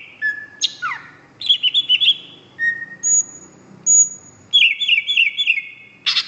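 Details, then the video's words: Greater green leafbird singing energetically until exhausted: sliding whistles, steady flat high tones and short trilled phrases of repeated notes, ending in a loud sharp burst. "Kicau Cucak Hijau Gacor ..... Sampai Teler"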